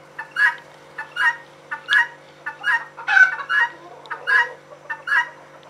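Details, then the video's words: A female guineafowl calls continuously with paired harsh notes, short then long, in a slightly irregular sequence, one cry rougher and louder than the rest. "Female guinea calling/sound"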